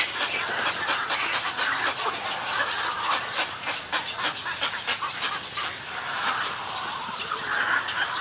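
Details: Colony of snowy egrets recorded close up, giving a continuous stream of rough, grating squawks from many birds, short bursts packed tightly together with no clear rhythm.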